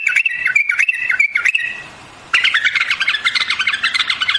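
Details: White-eared bulbul song: a rapid run of bright, wavering whistled notes, a brief pause, then a denser jumble of chirpy warbled notes continuing to the end.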